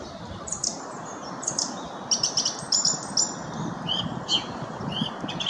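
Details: Song thrush (Turdus philomelos) sings bright, high notes in short phrases, some repeated quickly two or three times, over a steady background hiss.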